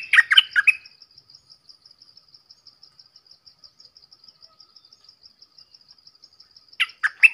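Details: Red-whiskered bulbul giving a short burst of cheerful whistled notes, a long pause filled only by soft, even high ticking, then another quick phrase.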